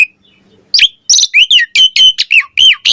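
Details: Asian pied starling in the morning: after a quiet start, a rapid run of varied chirps and bent, hooked whistled notes, bright and loud, several per second.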